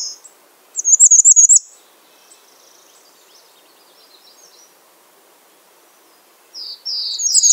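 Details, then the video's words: After a brief note, a piercing, fast-pulsed high trill from a bay-breasted warbler. Faint thin chips follow over soft background hum, then a closing burst of high slurred whistles. "Bay breasted warbler Calling"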